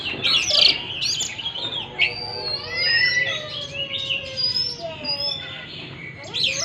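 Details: Oriental magpie-robin song meant to stimulate a stressed bird that has stopped singing: layered whistled slurs and harsh notes over background hiss.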